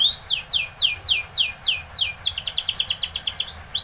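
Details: Spanish Timbrado canary song for training: deliberate downward-sweeping whistles about three per second, shifting into a rapid ringing trill and ending with a rising slurred note.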